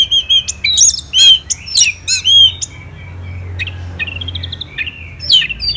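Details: Morning singing of an orange-headed thrush, Singaraja, Bali: loud, clear whistled notes in spaced bursts at first, then a softer, buzzy, rising warble and a final sharp chirp.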